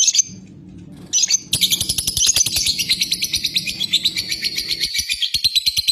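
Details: Lovebird moving from a few sharp calling chirps into ngekek, a long trill: a sustained rapid chattering stream of high buzzy pulses, about six per second, continuing to the end.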